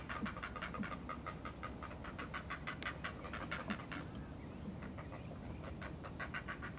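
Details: Great Blue Heron chicks begging as the mother feeds them, a rapid, rhythmic, panting chatter of harsh clicks, several per second, over a steady low background rumble; later hunger calls turn more growl-like.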